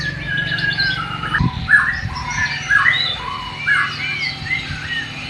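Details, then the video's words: East Kalimantan white-rumped shama from Borneo singing its learned sikatan londo imitation: quieter scattered whistled and slurred notes at varied pitches, about one per second, over steady low hum and a brief knock. "MURAI BATU BORNEO ISIAN " SIKATAN LONDO / NIGHTINGALE ""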